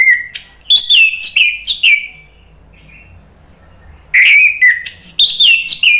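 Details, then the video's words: Orange-headed thrush singing as a lure and therapy for birds that had stopped singing. Two dense bursts of varied, jumping whistles and chirps, each about two seconds long, separated by a near-silent gap. "SUARA ANIS MERAH bikin EMOSI jadi NYAUT NGEPLONG ¦ PANCINGAN AM ¦ TERAPI MACET"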